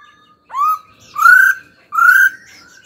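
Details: Laughingthrush singing during a training session, giving three clear whistled phrases, each sliding upward and then holding steady, spaced about seven-tenths of a second apart, in an otherwise quiet setting.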